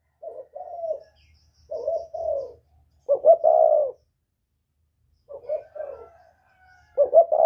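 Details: 'Kích bổi' calling of a northern-style spotted dove with a whistling voice: three groups of low coos separated by pauses, each group building from short notes to a louder prolonged hoot, with a faint low hum beneath.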